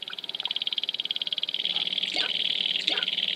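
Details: Dancing sharp-tailed grouse at Wainwright, Alberta, 2015. A fast, even pulsing rattle at high pitch, joined near the end by two brief, harsh calls.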